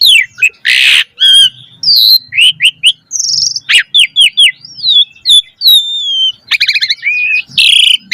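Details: Energetic song of a Javan pied starling, meant to stimulate young starlings to sing: a harsh rasping burst, then quick downward-sweeping whistles, wavering slurs, and a fast trill near the end.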